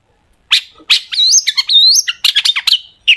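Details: Long-tailed shrike singing as a lure for other shrikes, a rich continuous run of scratchy notes mixed with clear sliding whistles rising high, packed tightly over three seconds with hardly a gap.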